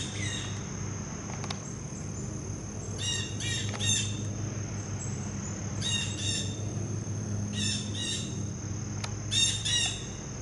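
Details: Blue jay visiting a feeding spot and calling loudly before taking a peanut and leaving: four bursts of harsh, buzzy, stacked notes in quick clusters, over a steady high whine and low background hum.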